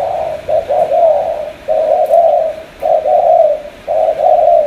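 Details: Loud, close spotted dove from Cà Mau, Vietnam, uttering long rolling coo phrases, each lasting about a second with brief breaks.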